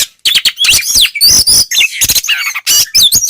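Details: White-rumped shama singing in the forceful 'ngeplong' style meant to provoke other shamas; loud, dense mix of harsh rasping notes, sweeping whistles and rapid chatter.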